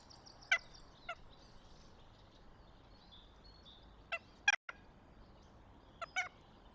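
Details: Northern goshawk at its nest near Tartu, Estonia, on 26 April 2025: short, sharp, harmonic call notes in scattered bursts, some doubled, with about a second or more between them, over faint songbird twittering in the background.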